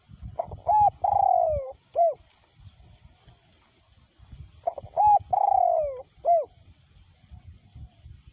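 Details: In strong wind, a spotted dove used as a decoy bird coos twice, each phrase a pair of short notes, a long downward-sliding coo and a short end note, over a steady low wind rumble.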